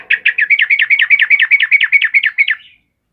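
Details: Sooty-headed bulbul, actively singing for a cage-bird training recording: a rapid even string of about sixteen bright chirped notes over two and a half seconds, then sudden silence.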